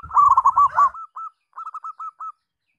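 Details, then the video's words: Zebra dove with yellow eyelids, the song style named rondosemoyo; a mid-pitched rolling cooing phrase, a loud burbling start followed by a series of short separate rolled coos trailing off. "Perkutut RONDOSEMOYO Si kelopak mata kuning"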